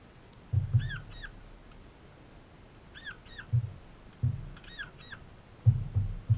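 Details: Young crimson rosella in an Australian backyard giving short arched whistled notes, often in pairs, in bursts every second or two, over loud low thumps of handling noise.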